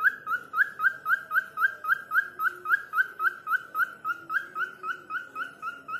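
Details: Falk, a cockatiel, imitating a call of a person's name with a rapid, even series of short upslurred whistles, roughly four per second, holding one pitch and dipping slightly lower later.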